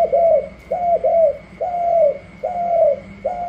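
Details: Newly wild-caught spotted dove cooing in a trial against another dove: mid-pitched coos, each a short note falling away at the end, repeated roughly once a second, with a steady faint high hum throughout.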